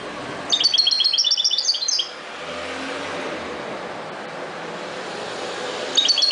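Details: Wild goldfinch, subspecies parva, giving a short rapid string of high twittering chirps, then a long stretch of road-traffic rumble, with another brief twitter at the end.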